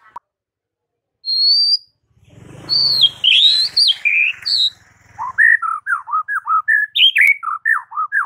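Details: White-rumped shama morning song aimed at getting rival birds to answer: a high sustained whistle, a burst of tumbling phrases over a low rumble, then a long series of bouncy mid-pitched whistled notes repeated rapidly.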